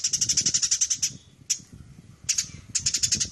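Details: High, scratchy chirps tumble out in quick succession as sparrows fight, stopping for about a second and then resuming in broken bursts over steady low background rumble.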